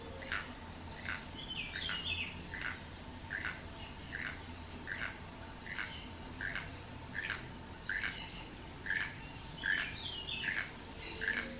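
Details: Keel-billed toucan perched on a dead tree beside a house at El Valle de Anton, Panama, giving dry, frog-like croaking notes repeated steadily, roughly one every second, over a constant low hum, with a few higher chirps from other birds.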